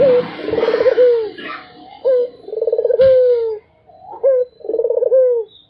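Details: Barbary dove cooing without pause: a short clipped note followed by a long, throbbing coo that slides downward, repeated in pairs about every two seconds, with a brief burst of background noise at the start.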